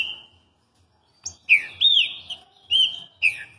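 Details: Green-winged saltator in Rio de Janeiro, Brazil: after a soft whistle and a short gap, loud mellow slurred whistles arching up and down, with one drawn-out note and a final quick burst.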